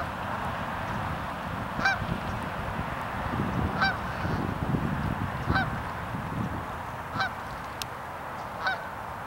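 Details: North American night heron, in a yellow-crowned and black-crowned comparison, giving five short harsh squawks spaced about every one and a half to two seconds over a loud, steady low rumbling background.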